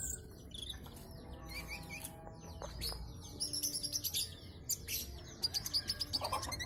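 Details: Brown-breasted ninja sunbird, a thumb-sized bird kept as a tutor for songbirds, singing busily in full voice with a song full of borrowed phrases: dense, high, quick chirps and twittering slurs, with low background hum.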